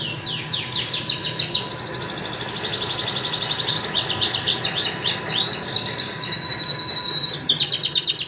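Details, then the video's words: A white canary and a crested canary singing: continuous high rolling trills and rapid repeated chirps that change pattern every second or two, ending in a loud, fast, sharply pulsed trill. "White canary and crusted canary are signing very nice"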